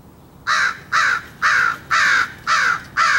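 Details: Crow cawing at something while a person tries to feed it: six loud, harsh caws evenly spaced about half a second apart, each with a falling, rasping tone, over a quiet background.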